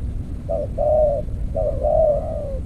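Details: Spotted dove used as a decoy in a clay trap, cooing twice: a short note followed by a longer, slightly falling purring coo, over steady low rumbling background noise.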